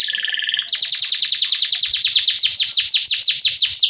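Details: Tutor song of a canary meant to teach young canaries: after a short buzzy note, a fast, steady run of bright descending chirps rolls on without pause.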